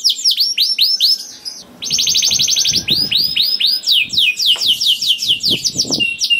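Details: Canary singing a long lure song to spur other canaries: fast repeated downslurred notes, a brief pause, then a dense buzzy roll and more sweeping whistles over faint low thumps.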